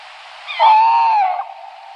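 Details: Single smooth tawny owl hoot, steady and mid-pitched, lasting roughly three quarters of a second and ending with a slight falling inflection. Nothing else is heard.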